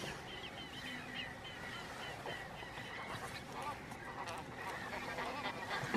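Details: Chilean flamingos displaying in courtship at Laguna Negra de Trelew, Patagonia, Argentina. A dense, steady babble of nasal honks and chattering notes from the flock fills the recording without pause.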